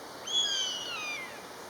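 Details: Pair of common buzzards calling back and forth: one clear, drawn-out mewing whistle, about a second long, starting high and sliding steadily downward, with a faint hiss behind it.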